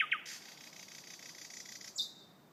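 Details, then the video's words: Thrush nightingale song, very loud: two sharp whistled notes, then a dry rattling trill held for well over a second, ending in a short high note. "Thrush Nightingale"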